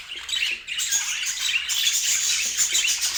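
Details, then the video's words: Pet budgerigars in a short burst of group chatter used as a calming sleep sound; rapid squeaky twittering and harsh chirps pile up densely and grow busier after the first second. "O Som dos Periquitos Que Faz Você Dormir Melhor"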